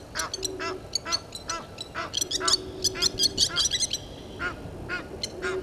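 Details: Excited, overlapping honks and shrill squeals from Egyptian geese confronting intruder geese at Gowrie dam, Sabi Sand, South Africa, 17:08 on 10/04/21, with a steady low hum beneath.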